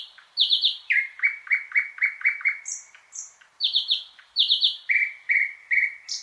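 Loud thrush nightingale song: bursts of sharp, rattling notes followed by runs of rich, repeated lower notes and brief high whistles, with no other sounds.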